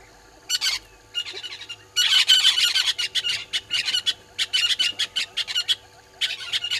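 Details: Morning at Gowrie dam, Djuma Game Reserve, Sabi Sand, South Africa, 20 March 2022, 06:08: red-billed hornbills give scattered clucks, then a loud run of harsh, chattering notes in short regular pulses.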